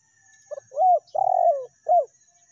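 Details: Spotted dove (tekukur) lure call, recorded in the meratus and melambung styles. One cooing phrase: a short note, a rising then level coo, a long husky coo sliding down, and a final short falling coo. Quiet background.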